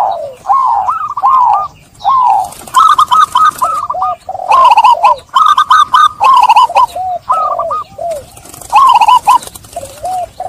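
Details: Zebra doves singing as a lure to get stressed doves cooing again: rolling series of short curled notes, several birds overlapping, in repeated loud phrases.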